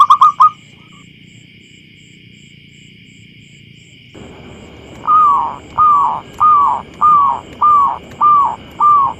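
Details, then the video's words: Small, clear, loud-voiced local zebra dove, lure recording from a field: a short quick burst, a pause, then seven slower, evenly spaced cooing notes against rising background hiss and a steady electronic tone. "Suara Pemikat Burung Perkutut Lokal Alam Liar"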